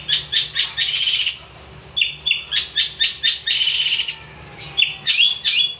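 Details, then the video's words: Long-tailed shrike (cendet) in lively song meant as a tutor for songbirds: bursts of quick scratchy chatter alternating with short sharp notes, with brief pauses between phrases and a faint thin whistle. "kicauan cendet gacor"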